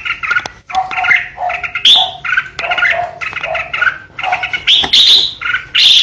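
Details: Kept decoy red-whiskered bulbul delivering ché song: rapid chattering notes mixed with lower slurred whistles and higher sharp squeaky accents, steady without long breaks.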